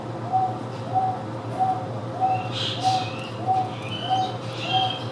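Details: Captive Wonga pigeon at the Houston Zoo repeating even, mid-pitched single coos at a regular pace, about eight in five seconds, while Taveta weavers add higher, thin chattering notes midway and near the end over a low hum.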